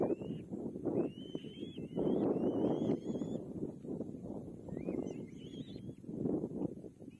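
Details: Young kite being fed its last meal by its mother, giving thin whistled begging calls that rise then level or dip, in short runs over steady rumbling wind or handling noise.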